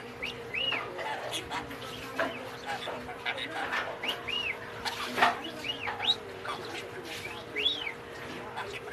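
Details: A talking parakeet that speaks Filipino and English chatters in quick, scratchy warbles broken by arched, rising-and-falling chirps about once a second, over a steady electrical hum.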